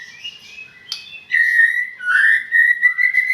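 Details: White-rumped shama: a few soft whistles, then loud, sustained, clear whistled tones held steady at mid-high pitch, with slight wavering and brief breaks.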